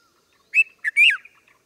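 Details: Red-vented bulbul uttering one short cheery phrase of three bright notes, the last longer with a rising then falling slur.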